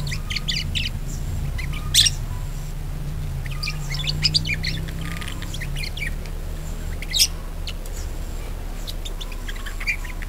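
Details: Budgerigar chatter used as a lure recording to get other budgerigars singing actively: dense bursts of scratchy, chirping notes with a few loud sharp squawks, over a steady low hum.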